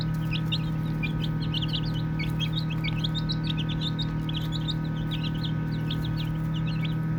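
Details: Baby chicks chirping while playing: a busy overlapping chorus of short, high, rising and falling peeps from many chicks, with steady low humming machine-like noise underneath.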